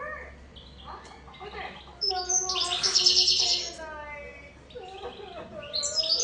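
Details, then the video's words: Goldfinch song rising into a bright, buzzy, high trill midway, framed by scattered twittering notes and fainter lower tones. "أرواع تغريد طائر الحسون"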